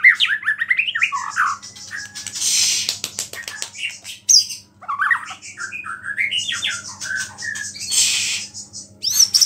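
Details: A white-rumped shama pours out energetic song stuffed with imitations of small birds, reputed to provoke rival shamas; tumbling whistled phrases alternate with harsh rasping bursts and sharp clicks.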